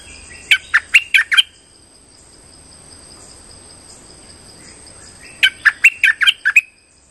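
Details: Streak-eared bulbul call for luring birds into traps: two bursts of five or six quick, sharp chirps, separated by about four seconds of quiet with a steady high thin tone running throughout.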